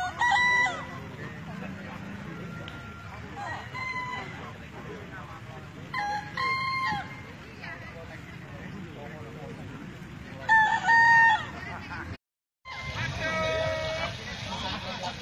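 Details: Bekisar roosters at a crowing contest in Solo, 7 May 2017, main-class final with five finalists, give short, harsh, harmonic crows in repeated bursts while a man announces over a loudspeaker.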